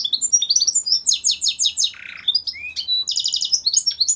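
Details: Goldfinch mule, a goldfinch hybrid, singing a rapid varied song of high twittering notes, trills and buzzy phrases, with a lower nasal buzz near the middle and quick repeated chirps throughout.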